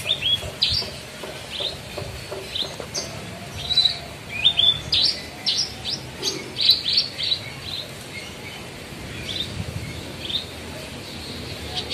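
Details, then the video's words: Caged bushlark, kept as a songbird, in a long varied song: rapid bursts of high chirps, sharp upward slurs and short trills in quick phrases, separated by brief pauses, against a soft low hum. "BRANJANGAN OMBYOKAN BONGKAR ISIAN"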